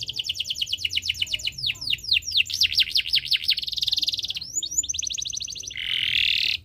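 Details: Canary in breeding condition delivering long song to spur other birds: extended fast trill, a run of rolling looped notes, buzzy rattles and another quick trill, ending in a harsh buzz.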